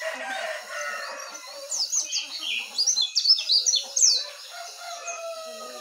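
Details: Jongkangan, trucukan and pleci (white-eye) heard in the morning: soft background chatter builds into a burst of lively, high, quickly repeated whistled chirps in the middle, then fades again.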